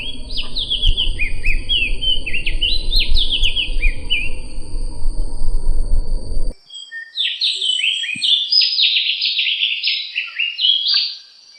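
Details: White-eye known as opior, from Sumbawa, on a training recording for songbirds: long, lively outpouring of quick, high, zigzagging notes repeated in dense runs, first over a low rumbling noise, then continuing in near-quiet surroundings, with a faint steady high tone.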